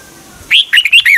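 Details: In Thailand, Red-whiskered bulbul song played for caged birds to learn from or to stir them up: one short, lively phrase of about five smooth, slurred notes, ending in a downward sweep.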